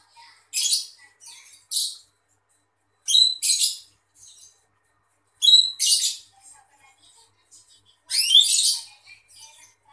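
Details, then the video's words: Female greater green leafbird delivering a song of harsh, buzzy, scratchy bursts in pairs every two to three seconds, with quiet chattering notes between them and a sweeping rasp near the end. "Ocehan cucak ijo betina"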